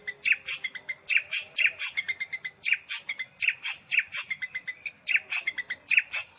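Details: Long-tailed shrike in continuous nitik song, a fast stream of sharp high ticks and chirps arranged in repeated short rhythmic groups.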